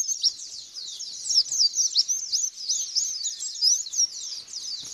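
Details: Lure recording of white-eye song, used to provoke a response: unbroken high-pitched twittering, quick rising and falling chirps crowded together, a few brighter whistled notes standing out.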